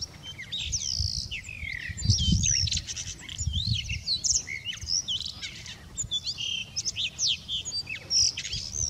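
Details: Male Blue Rock Thrush singing on 24 March 2019: a rapid, continuous run of varied whistled and warbled notes with upward and downward slurs, delivered in short bursts. A steady low rumble sits underneath.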